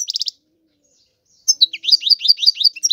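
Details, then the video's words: Short buzzy burst from a European goldfinch, a pause, then a steady series of sharp, high, down-slurred chirps. "تغريد الحسون هو اجمل صوت العصافير"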